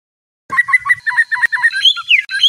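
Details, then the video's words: White-rumped shama singing at night to train a contest bird: rapid paired whistled notes after a short silence, then higher sliding whistles and a thin sustained tone. "Murai Batu, Pancingan Malam untuk Menjadi Fighter Sejati"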